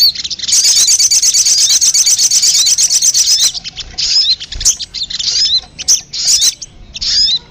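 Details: Sogon bird lure sound: a loud continuous high buzzy chatter for about three seconds, followed by scattered short bursts of high whistled twitters separated by quieter gaps.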